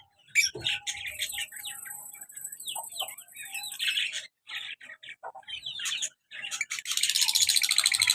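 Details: Pair of pet lovebirds, colour male with black mask female, active and lively, chattering in dense shrill chirps and squeaky twitters, with a hissing rustle rising over the last second.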